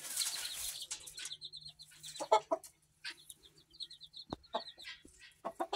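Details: Black Australorp mother hen with her two-week-old chicks in September 2023: rapid high peeping from the chicks in repeated runs, a few lower clucks near the middle, and sharp rustling and scratching noises between them.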